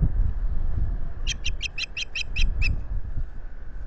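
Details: Nesting Osprey at Salt Point, Finger Lakes, US, on 25 April 2022 via solar nest camera: eight evenly spaced, high whistled chirps in quick succession over strong gusty wind noise.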